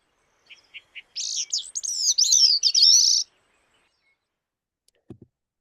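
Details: Bicknell's Thrush song, a species nesting high at tree line in northeastern mountains such as the Adirondacks and Catskills: a few soft chuck notes, then a thin, reedy, spiraling phrase of high twisting notes for about two seconds; a faint thump follows.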